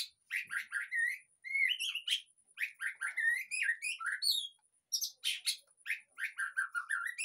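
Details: Song of white-rumped shama played to prompt a caged bird to sing again; rapid whistled and warbled phrases with rising slurs and sharp high notes, one brief pause midway.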